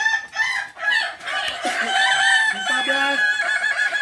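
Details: Balenggek cocks at a practice crowing contest in Ampang Kualo, Solok city, give long harmonic crows; one ends in a string of short stepped syllables, with other roosters and people audible behind.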